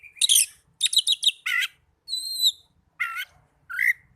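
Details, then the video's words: Oriental magpie-robin song played to stimulate caged birds to sing: harsh high chirp bursts, a clear drawn-out whistle with overtones, and short rising whistled notes with pauses between. "Pancingan burung kacer agar cepat gacor"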